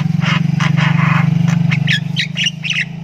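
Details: Young Javan myna ngriwik while practising its voice: rhythmic rasping bursts about four per second, then short twisting chirps, all over a loud, steady low electrical hum.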